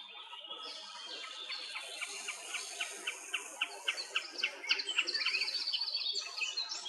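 A common snipe gives a rhythmic series of sharp, dry notes, about four per second, growing louder and quicker. Other birds sing faintly in the background.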